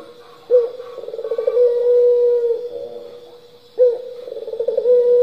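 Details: Turtle dove cooing in the 'pelung' style, used as a lure to set other doves singing: two low, drawn-out coos about three seconds apart, each opening with a sharp note, then a quick stuttering run and a long steady hum, over a faint constant high whine.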